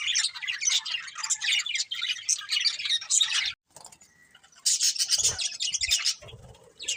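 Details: Colourful budgerigars of a breeding pair chatter in quick scratchy chirps and warbles, break off into near silence for about a second, then resume with bright twittering and a few dull thumps.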